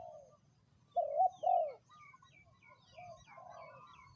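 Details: Spotted dove used for ground decoying, third session: a pair of loud, wavering coo notes, then quieter cooing and twittering birds in the background.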